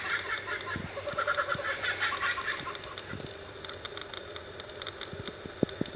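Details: Kookaburras at Willow Bend on the King River frontage in Australia: a burst of rapid, cackling notes in the first half, then quieter chuckles trailing off over faint background noise.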